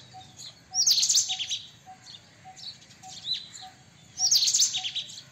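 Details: White-throated kingfisher, also known as white-breasted kingfisher; two loud harsh chattering bursts about three seconds apart, each with quick stuttering notes, softer calls between, and a faint regular ticking tone in the background.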